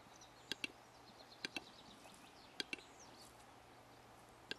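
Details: Display-crazed male Western capercaillie giving sharp double clicks, tick-tick, roughly once a second with short pauses, while small birds twitter faintly in the background.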